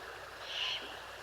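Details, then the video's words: Perhaps a fledgling Great Horned Owl, in a nearly silent cottonwood forest at Highwood Creek, Montana, on a July night. It gives a single harsh, hissing screech of about a third of a second over a faint steady hush. "Perhaps a fledgling great horned owl screeches once in a while."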